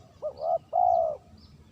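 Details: Lure call of a spotted dove, clear and dominant: a brief lifting first note followed by a drawn-out even coo, once, with soft distant bird chirps behind.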